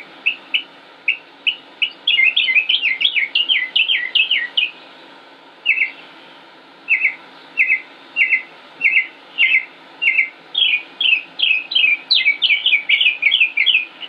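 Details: Male northern mockingbird in Concord, North Carolina, late May 2016, singing without pause: quick jumbled chirps, then a crisp note repeated steadily about every half second, then another tumbling run of high whistles.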